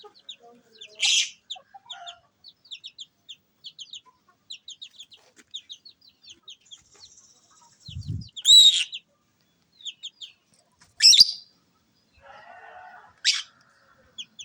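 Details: Lovebird chattering in a steady stream of thin, high chirps, broken by several loud, harsh squawks spaced a few seconds apart, plus a brief low thump and a soft rustle near the end.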